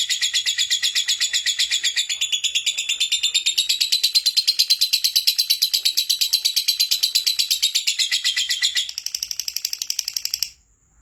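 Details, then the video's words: Singing lovebird, meant as a lure to spur other lovebirds into song, delivers a long, rapid, chattering trill of high, piercing notes that keeps going for about ten seconds, then stops abruptly. "Lovebird Gacor Pancinagan Suara Lovebird Agar Cepat Gacor Kicau LOVEBIRD"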